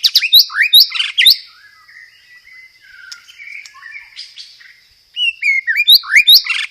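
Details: Loud, clear white-rumped shama lure song with mimicked fighting-sparrow material and rolled phrases: bursts of sharp, upswept whistles, a quieter warbling middle, then fast rising whistled notes again.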